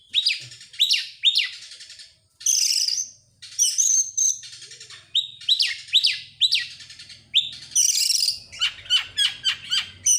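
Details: Oriental magpie-robin, excited, tail opened, in persistent rapid-fire song: repeated steep whistled slurs, high shrill buzzy strophes and, near the end, a fast stuttering series of clipped notes over a faint low hum.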